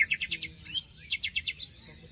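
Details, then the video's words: White-rumped shama in post-moult song, played to provoke a silent bird: a brisk series of repeated sharp chips with a couple of slurred whistles in the middle. The chips fade out toward the end. "Pancingan murai batu macet bunyi paska mabung terbaru besetannya bikin ngilu!!"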